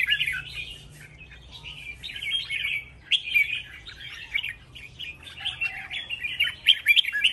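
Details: Contest-singing red-whiskered bulbuls produce an unbroken stream of lively warbled and chirped phrases, rising in loud bursts with short gaps, ending in sharp high whistled notes.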